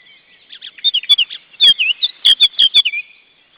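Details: Restless female osprey: a series of short, clear whistled piping notes, some slurring downward, in an uneven run, with a few sharp clicks.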